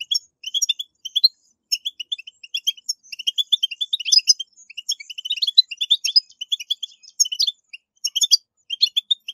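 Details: European goldfinch song of the style played to encourage captive goldfinches to sing: rapid, continuous twittering of bright, high chirps and short tinkling trills, delivered in dense bursts with brief pauses throughout.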